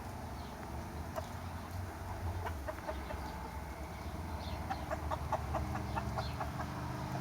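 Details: Chickens and roosters in summertime: a flock gives short repeated clucks that grow busier toward the end, set against a constant low rumble.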